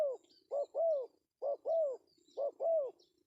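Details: Spotted dove male, 'pesom' calling style, used as a lure: three paired coos, each a brief note then a drawn-out, falling coo, separated by short pauses over a low steady hum.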